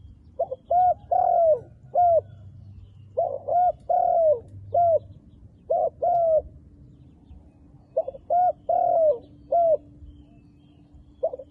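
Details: A wild dove with black-spotted plumage coos steadily, repeating a phrase of short notes and one long falling coo about every two to three seconds, with a faint steady hum in the background.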